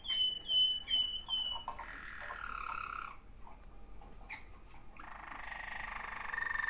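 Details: Two sibling Waterslager canaries singing: a run of four bright repeated notes with ringing overtones about every 0.4 seconds, then lower sustained rolling tones, a brief pause, and a softer warbling phrase.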